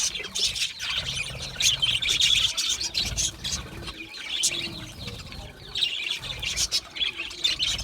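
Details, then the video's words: Budgerigars, Australian parakeets, chattering together in bursts of high twittering chirps and warbles that swell and fade every couple of seconds, with soft low thumps in the background. "Budgie singing and chirping sounds | Australian Budgie sounds"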